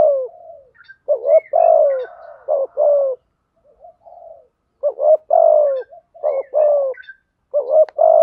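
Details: Spotted doves, cock and hen, calling to lure and train birds: repeated phrases of two quick notes and a long sinking coo, a murmuring pause mid-way, with light chirps of other small birds around.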